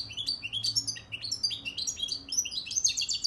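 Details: Cimbil-style song of a European goldfinch from Akhisar, Turkey: a continuous, bright stream of fast twittering notes and quick slurred chirps with no break, over a faint low hum.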